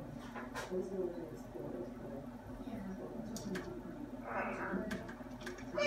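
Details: Pet macaw named Elvis being talkative: low, hoarse, speech-like phrases with a harsher raspy burst near the end, in a small indoor room.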